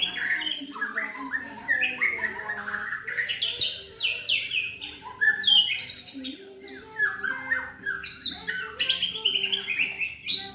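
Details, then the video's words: Young black-legged white-rumped shama of the Medan type, about 3.5 months old, still in juvenile plumage, kept at a house in Yogyakarta; loud, busy song of varied whistled and chattering phrases, rising and falling notes packed tightly together with few pauses. "Istimewa Murai Trotol Gacor Dor-Murai Batu Medan Kaki Hitam Trotol-Lagu Murai Medan-Trotolan Murai"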